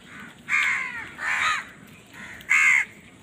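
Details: Crows squabbling over food: three harsh, hoarse caws, each about a third of a second long with a short pause between them, the last one loudest.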